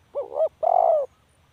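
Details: Spotted dove giving one phrase: a short wavering double coo followed by a longer, smooth, slightly falling coo, in a quiet setting.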